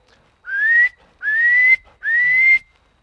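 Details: Wood duck (Aix sponsa), Missouri, a duck that doesn't quack, giving three rising, squealing whistles, each under half a second, about one every 0.8 seconds; no other sounds.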